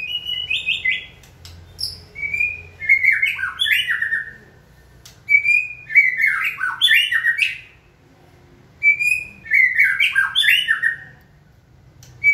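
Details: White-rumped shama in training, prompted by a person to sing, delivers loud bursts of rich whistled, jumping notes and fluttering trills, grouped in three long phrases separated by short pauses, with faint low hum behind.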